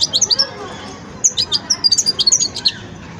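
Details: Juvenile European goldfinch practising its song: quick high-pitched tinkling chirps in two short bursts separated by a brief pause, with a faint hum behind.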